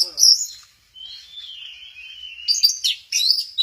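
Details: Orange-headed thrush at Kesamben, dancing 'goyang inul' style: a sharp high note, then a long thin slurred whistle falling gently, ending in a rapid jumble of high chirps.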